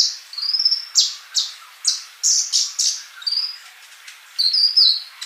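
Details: Sunbird (kolibri) singing actively: high, thin chirps and short whistled slurs, some rising and some falling, delivered in quick bursts with brief gaps over five seconds.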